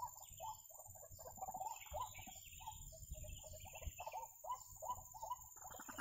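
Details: White-breasted waterhen at a trapping site repeating short, gruff, mid-pitched notes in an uneven rhythm, while a thinner, higher-pitched bird twitters above it.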